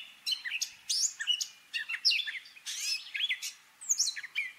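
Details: Gray catbird imitating other birds in song, delivering scratchy chirps, sliding whistles and buzzy notes in quick irregular bursts with short pauses.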